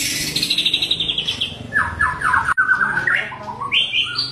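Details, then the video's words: White-rumped shama singing in the wild at Bahorok forest: a fast high trill sliding gradually downward, then a run of lower rapid buzzy notes and a brief rising whistled phrase. "Kicauan Asli Hutan Murai Bahorok"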